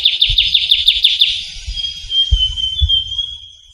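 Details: Trilling shrike-babbler (ciu kunyit) from Javan forest: a brisk trill of repeated falling notes, then a long thin whistle drifting slightly lower, with occasional low thuds in the background.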